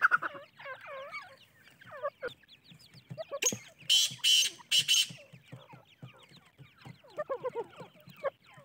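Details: Francolin chick peeps, called teetar, in wavering descending clusters, interrupted midway by loud harsh hissing bursts, then renewed rapid peeping toward the end.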